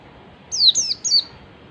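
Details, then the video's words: A brief phrase of ngalas song from an oriental white-eye, played to get other white-eyes singing: three quick, high, thin whistles, each sliding downward. "pancingan pleci ngalas PLECI MANAPUN AKAN LANGSUNG MERESPON DAN NGALAS"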